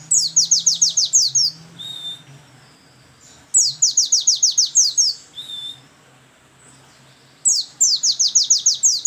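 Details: White-eye song in the trembling 'geter geter' style, a monotonous single-song phrase: bursts of about ten quick high descending notes repeated in series, separated by pauses with a single thin drawn-out whistle, over a low steady hum.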